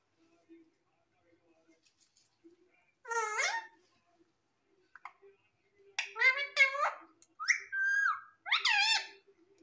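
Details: Pet parrot speaking: a burst of squawky, voice-like syllables at three seconds, then a rapid run of harsh, wavering utterances and a drawn-out nasal note between six and nine seconds, indoors.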